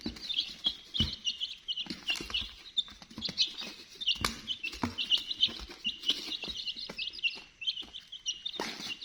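A crowd of chicks peeps nonstop, with high, thin, overlapping chirps, several each second, and occasional soft knocks and bumps underneath.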